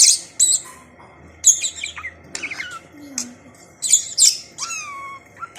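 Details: A pet budgerigar that has learned to say some words chatters in rapid, scratchy bursts mixed with high chirps and thin whistled slides.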